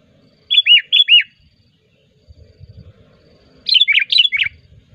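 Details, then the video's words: Sooty-headed bulbul singing as a lure call for bird trapping: bright, bubbly whistled notes in two quick pairs, then a tighter burst of four or five, over a faint low rumble. "suara pikat burung kutilang gacor"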